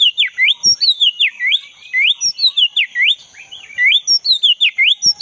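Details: Black-breasted Oriental magpie-robin singing bursts of swooping whistled notes, falling then rising, grouped in short bouts separated by brief pauses. Offered as a lure to restart song in a caged bird.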